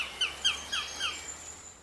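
A great tit gives four harsh, scratchy alarm notes about a quarter-second apart, over a faint thin high whine.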